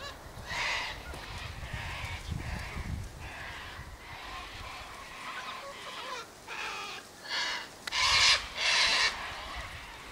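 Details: Sulphur-crested cockatoos feeding on sunflower seeds, wheat and birdseed at an eastern gate; a run of rough, raspy squawks builds to two loud screeches near the end, over low rumbling background noise.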